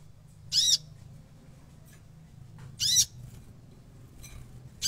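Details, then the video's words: Konin bird singing vigorously with a full repertoire of fills: loud, harsh, screechy bursts about half a second long, three at intervals of about two seconds and a fainter fourth, over a low background hum. "king konin gacor ngobra full isian"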